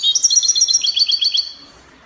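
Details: European goldfinch singing in the Spanish copia style, from Morocco: a rapid run of bright, high twittering notes stacked in layers, repeated about ten times over one and a half seconds, then fading to quiet.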